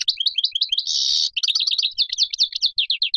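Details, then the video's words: Caged European goldfinch of the Major type delivering quick twittering notes around a harsh, drawn-out buzz, followed by a rapid run of liquid chirps. "صوت الحسون الأصلي - Stieglitz Major Beste Gesang - Le roi du chardonneret"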